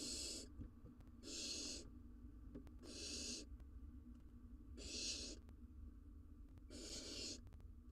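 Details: Wild barn owls in a nest box, a male bringing a rodent to the female and nestling: long harsh hissing screeches, each about half a second, repeated roughly every one and a half seconds over low rumbling background.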